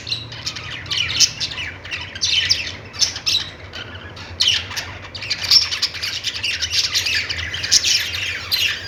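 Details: Chattering budgies, many voices at once, rapid scratchy squawks and chirps rising and falling in loud waves over a faint low hum.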